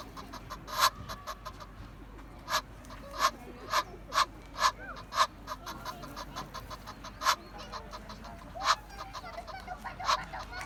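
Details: Egyptian goose calling: short, harsh, nasal honks repeated at uneven intervals, some single and some in quick clusters, more than a dozen over ten seconds, with a faint steady background hiss.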